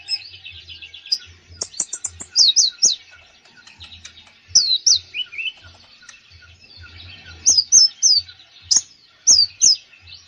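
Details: A konin bird sings a full, varied song: clusters of sharp upslurred whistles and quick chips in bursts separated by short twittering pauses, repeated throughout.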